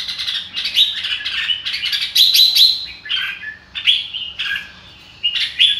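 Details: Red-whiskered bulbul: spirited warbling song bursts of clear whistled and chirped notes, with short gaps and a quieter stretch near the end.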